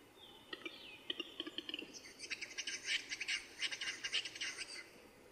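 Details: Displaying Eurasian capercaillie at its lek, recorded on film in the early 2000s: a thin whistle from another bird opens, then sharp clicks accelerate into a rapid, rasping, hissing whetting phrase that fades out.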